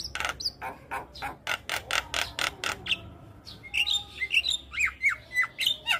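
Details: Javan myna song used as a master recording for training young birds: a run of harsh broadband rasping notes, then sharp whistled and squeaky rising and falling notes.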